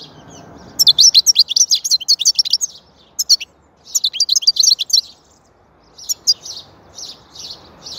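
A European goldfinch sings bright, tinkling twitters and liquid trills in quick bursts, with a soft low hum underneath.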